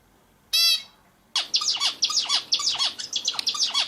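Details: Bulbul singing: a burst of quick, buzzy, chattering notes with short descending slurs, repeated rapidly after a single loud harmonic squeak.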